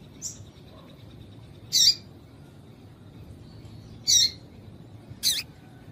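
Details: Call of a female yellow-bellied seedeater meant to stir males into song: three brief piercing high chirps spaced roughly two seconds apart, with a faint softer note at the start and low background hum.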